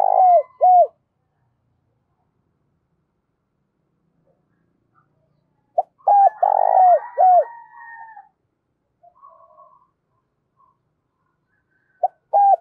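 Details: Spotted dove cooing, kept as a decoy to lure wild birds, in the deep 'thổ' voice style: short mellow coos in brief groups of two to four notes, separated by long silent pauses, with faint chirps between.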